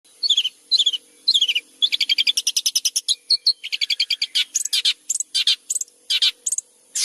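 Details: Long-tailed shrike in full, steady song, used as a tutor for white-rumped shama: squeaky high notes, then a long fast run of dry, buzzy chattering pulses, then harsh scratchy bursts and clipped chips.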